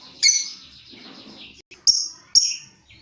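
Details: Lovebird squawks, one drawn out then two short shrill ones, from birds answering each other in long chatter used as a lure.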